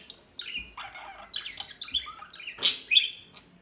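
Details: Small bird twittering in a quick sequence of varied high chirps, some slurred and falling, ending in one louder sharp squeaky note followed by a short whistle.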